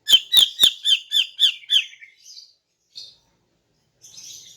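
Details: In the morning, a female greater green leafbird sings to lure males: about eight fast, bright chirped notes in a row, followed by faint, high buzzy trills.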